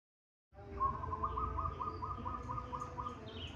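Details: Local zebra dove of the Indonesian archipelago singing a fast run of short, rhythmic cooing pulses on one mid pitch. The notes come in quick beats for nearly three seconds over a steady low rumble, with faint repeated high chirps behind.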